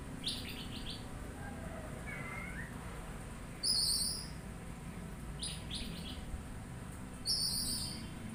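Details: Oriental magpie-robin singing a soft slurred whistle early on, then giving loud grating buzzes repeated every few seconds with stuttered raspy notes between, over a low rumble.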